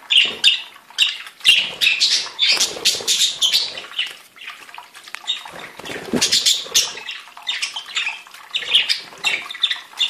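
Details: A group of budgerigars sings continuously, a busy, scratchy chatter of rapid chirps, squeaks and grating notes. Loud bursts rise and fall nonstop, with a short lull in the middle before the warbling picks up again.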